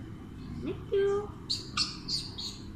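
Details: A green Alexandrine parakeet kept as a talking parrot said to speak Urdu and Hindi gives a short rising note and a held, word-like tone, then four quick high chirps about a third of a second apart.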